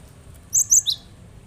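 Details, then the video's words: Cinereous tit, used as a lure to make lazy birds sing, utters three rapid, very high, thin whistled notes, the last slightly dropping, against a quiet background. "Burung yang malas bunyi dengarkan ini insyaallah langsung ikut bunyi"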